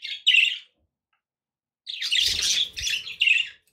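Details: Budgerigars heard indoors as company for a pet parrot: a short scratchy chirp, a pause of over a second, then a longer buzzy warbled burst ending in a chirp.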